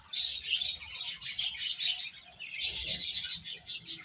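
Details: Chicks of the domestic chicken chirping continuously, a dense chorus of high, thin, rapid peeping notes that overlap throughout, with no pauses and several birds calling at once.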